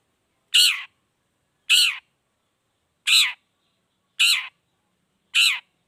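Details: Long-tailed shrike (cendet) from a lure recording to get shrikes singing: five identical harsh, rasping notes repeated roughly once a second with clean silence between them.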